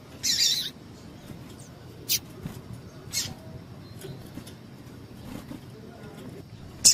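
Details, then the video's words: Female double-collared seedeater calling to excite males; a longer scratchy high note opens, followed by a few brief, sharp chips at uneven gaps and a final bright squeak. "PIADO DE FÊMEA DE PAPA CAPIM PARA DEIXAR SEU PAPA-CAPIM DOIDO"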